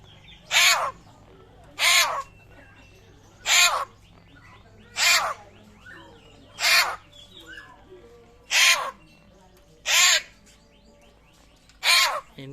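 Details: Papuan butcherbird, a rare bird whose voice is likened to a raptor, gives eight loud, harsh, broadband calls in a steady series, roughly one every one and a half seconds, with faint softer notes between.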